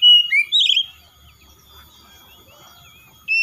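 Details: Short oriental magpie-robin outburst: two or three quick whistled and trilled notes, a long quiet pause with faint low humming, then a sudden whistle at the end.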